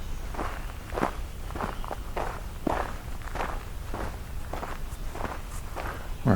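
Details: Steady footsteps crunch along an outdoor path in a rural setting, with an uneven walking rhythm and no animal voices.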